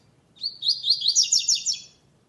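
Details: In a second-stage web singing contest, a double-collared seedeater gives its classic song without the third note. Roughly eight rapid, buzzy and sharply pitched high notes tumble out in an even, lively phrase.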